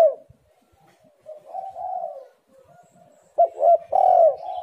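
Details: Spotted dove cooing as a lure for birds reluctant to call: quiet drawn-out coos first, then a sudden loud, emphatic run of rounded coo notes near the end.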